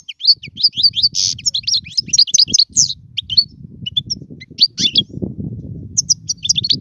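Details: Song of a European goldfinch, played to teach young birds to sing. Continuous rapid high twitters, buzzy trills and short chirps, a harsher burst near the middle, over steady low background rumble.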